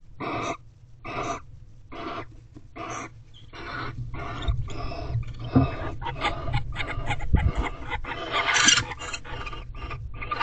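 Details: Barn owls in an owl box at a corral, 28 February, mid-afternoon, during mating. Harsh broadband hissing screeches, first in a steady series about every 0.6 seconds, then crowding into a dense, overlapping rasp with a low hum beneath.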